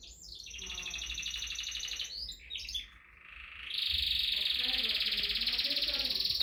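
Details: Canary singing: varied chattering, warbled notes break off briefly, then give way to a fast, even, continuous rolling trill lasting the final seconds, over a low background rumble.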